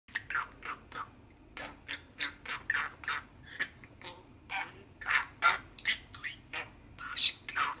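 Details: Six-year-old male pet budgerigar perched on a hand at a kitchen sink, singing and shouting: a busy stream of short chirps, squawks and chattering notes, some loud and harsh, in a small indoor space.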